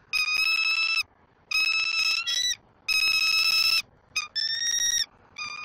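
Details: Bald eagle eaglet on a nest in Southwest Florida on 5 February 2024, being fed fish by its mother after the father delivered it, uttering loud, clear, high whistled calls, each about a second long, repeated in bursts with short gaps.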